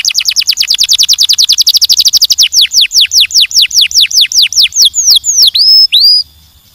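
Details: Canary song opening with a rapid, dense trill of short high notes, slowing into a run of sharp descending whistled sweeps, closing with two drawn-out rising-then-falling whistles before falling silent.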